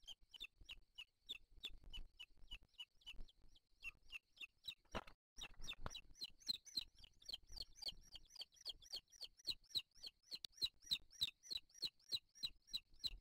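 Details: Booted eagle eaglets at the nest on 3 July 2023 beg as their father arrives with a bird as food. They give thin, high, piping notes about three times a second, growing faster and louder, with brief rustling and knocks.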